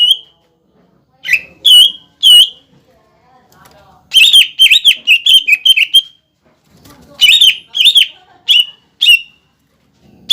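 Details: ['Lure song of a greater green leafbird (cucak ijo), used to stir young and wild-caught leafbirds to sing. Loud ringing whistles with crisp onsets arrive in clusters, with a dense rapid run in the middle and quiet gaps between.']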